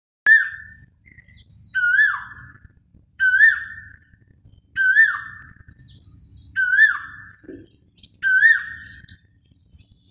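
An Asian koel gives six loud, ringing whistled notes, each swelling upward then dropping, repeated about every one and a half seconds over a faint low background hum.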